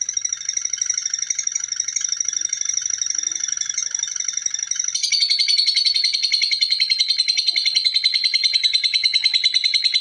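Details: Long ngekek chatter from a lovebird, a dense train of quick, sharp, high chirps repeated several times a second; partway through the pitch drops a little and the notes grow louder and crisper.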